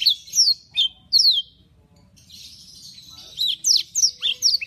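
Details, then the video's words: Lively caged canary singing in a compilation of energetic birds: bursts of sharp, high downward-sweeping whistled notes, a quiet pause, then a fast run of repeated sliding chirps. "KOMPILASI KENARI GACOR"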